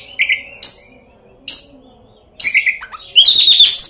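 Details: Lure song of an Oriental magpie-robin, full of filler phrases, intended to provoke rivals to sing and spread their tails; spaced sharp chirps and short whistles, then a dense scratchy chattering run at the end.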